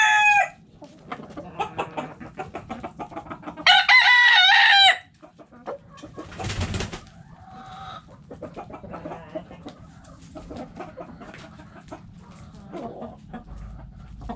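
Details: Backyard chickens in the coop: opening clucks, a loud rooster crow of about a second, a brief flapping or rustling burst, then a long stretch of soft hen clucking and murmuring.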